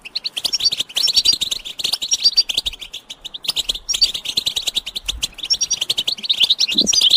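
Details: Group of European goldfinches chirping together, mating calls meant to push silent males into singing: dense liquid twittering bursts, two short gaps around one and four seconds, then more fast jingling notes and thin whistles.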